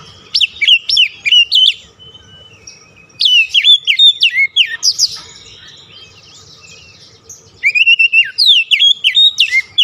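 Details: Song of an Oriental magpie-robin used to stimulate a stressed bird that stopped singing: three energetic bursts of loud, sharply slurred whistles, with brief quieter pauses between them.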